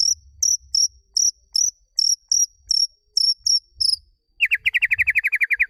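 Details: Magpie-robin sounds for training a bird that has stopped singing. Sharp, high chirped notes repeat about twice a second, then give way to a fast, even, lower trill of rapid pulses.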